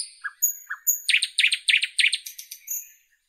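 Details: Nightingale from northern Europe delivers high drawn-out whistles and two soft low notes, then a fast run of loud, sharp, repeated chattering notes that fades out; no other sounds.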